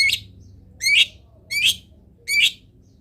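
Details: Long-tailed shrike sound used for training other birds: four harsh, scratchy notes each starting with a short rising whistle, repeated about every three-quarters of a second, with low background hum.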